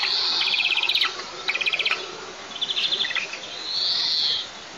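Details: At a white-tailed eagle nest on a 20 m pine in southeast Tatarstan, 9 July 2024, while a chick is offered a piece of ground squirrel, high, thin chattering calls come in quick pulsed bursts, ending in a drawn-out whine.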